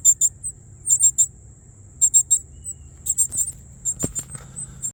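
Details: North Carolina yard, Northern cardinal nestlings in a tree nest, hungry, filmed up close with a phone. Piercing high chips in doublets and triplets at irregular gaps, with a sharp click near the end and faint low background rumble.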